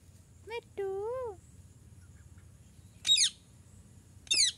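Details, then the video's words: Parrot calling, its voice described as talking: a short rising-and-falling harmonic whistle-like note, then two loud, harsh, buzzy squawks about a second apart over a low background hum. "Natural parrot sounds / parrot calling sounds / mithu Talking"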